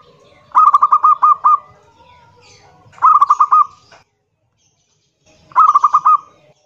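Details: Local zebra dove singing loudly, kerot nguwor style, as a lure to set other doves singing: three short bubbling phrases of five to six rapid coos each, spaced about two and a half seconds apart.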